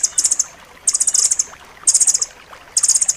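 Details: Rambatan loreng singing in a tight, sharp style as training material for pet birds. Four bursts of rapid, very high chattering notes, each about half a second long.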